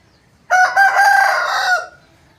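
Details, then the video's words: Aseel rooster crowing, one crow of about one and a half seconds: a sudden loud onset, a brief break, then a long even harsh note that fades away at the end, against a quiet background. "Aseel Roosters crowing Compilation | aseel murge ki awaaz"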